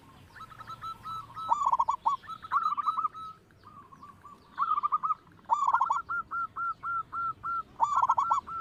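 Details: Loud local zebra dove used as a lure for other singers: repeated bursts of rapid, stammering coos, each answered by a steady row of short, clear coos.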